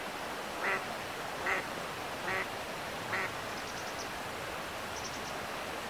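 An Eastern spot-billed duck gives four hoarse, nasal quacks a little under a second apart over a steady background hiss, with faint high chirps from a small bird.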